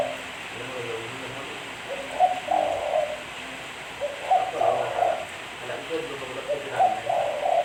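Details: Spotted dove cooing, offered as a clean lure recording: three low, rolling coo phrases, each about a second long, spaced a couple of seconds apart against a faint steady hiss.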